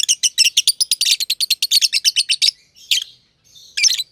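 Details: Two masked lovebirds, a green personata under a year old and a green pied personata, chirping together in a home aviary where they play. Rapid run of sharp high chirps for over two seconds, then two short separate bursts.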